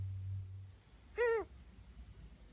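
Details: Pet female Ringneck dove of almost one year producing an odd call heard increasingly often lately: one clear, brief, bowed note with stacked overtones, falling at the end, in an otherwise quiet indoor setting.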